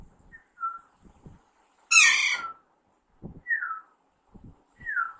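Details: A young Alexandrine parakeet in talking training gives one strong, raspy squawk framed by several clear whistles that slide downward. Light low clicks and murmurs are heard in the background.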